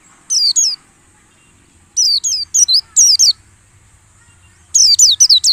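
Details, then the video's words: Used to draw wild-style singing from caged white-eyes during dew-airing, this lure song gives a pair of high falling whistles, then a dense run of thin, steeply downslurred notes, a pause, and another rapid cluster. "suara PANCINGAN PLECI saat pengembunan agar ngalas"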